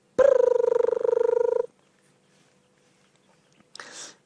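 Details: Crested Barbet calling in the background on a sunset game drive in the Sabi Sand, July 14, 2016, while antelope cross a road: a rapid, low, buzzing trill of about twenty pulses a second, under two seconds, then brief rustling.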